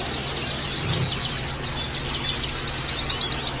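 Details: Oriental white-eye twittering played as a lure to provoke singing: quick thin notes sweeping up and down in a busy, overlapping chatter, with a constant low hum and a brief low thump near the start.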